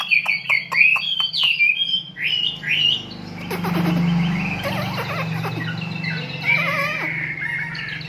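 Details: Lovebird of the kapas type in tembakan-style song: rapid sharp chirps and twittering trills for two seconds, then a dense, noisy rush of chattering over a low rumble.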